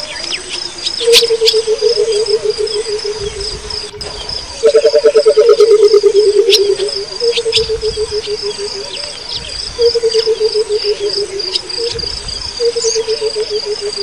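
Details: Burchell's coucal in the wild gives low, bubbling phrases of rapid hollow notes that slide gently downward, over steady insect trilling.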